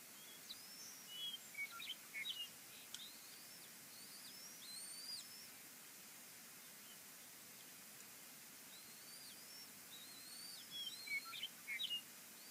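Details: Bald eagles feed chicks 1 and 2 at their Fraser Point nest on 22 March 2019; scattered faint, high, upslurred whistles and chirps come in two bouts separated by a quiet spell, with constant background hiss.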